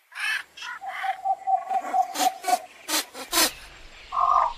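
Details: Javan pond heron giving harsh, rasping squawks in quick bursts, mixed with a steady run of short tonal notes repeated about twice a second underneath.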